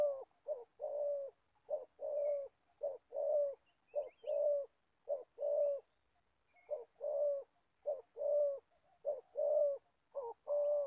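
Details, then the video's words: Old spotted dove decoy for bird trapping in Gia Lai, Vietnam, cooing in a steady rhythmic series of short and long hollow notes, about one per second, with faint small chirps behind. "Bẩy cu gáy. Clip 65.. mồi già bắt bổi thổ tốt tiếng"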